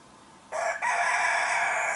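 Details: A rooster in a Western Siberian village crows loudly at foggy, cool dawn, a harsh, drawn-out cock-a-doodle-doo with a brief early break, as roosters answer one another across the village.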